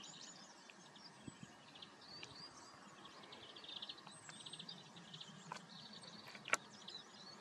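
European greenfinch twittering in fast runs of high, buzzy trilled notes, with a brief whistled slur and a few sharp clicks over a steady outdoor hiss.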